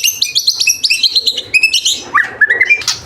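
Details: White-rumped shama song with isian fill-in material: quick stuttering high chirps in rapid series, then lower whistled notes stepping upward, clear and close.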